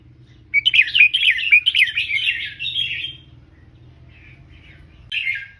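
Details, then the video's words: Tutor song of a Red-whiskered bulbul in the Thai 'double three, professional' style for teaching young birds: one lively run of fluty, rolling warbled notes lasting over two seconds, a soft pause, then a short final phrase. "เสียงนกกรงหัวจุก เบิ้ล3 อาชีพ"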